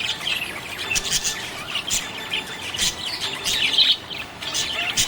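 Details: Cheerful budgerigars keep up continuous high chirping, busy overlapping twitters and warbled notes rising and falling in quick succession.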